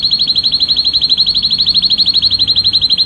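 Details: Male canary singing to stimulate the female to mate: a fast, even trill of high pulses, about twelve per second, sustained throughout with no other sounds.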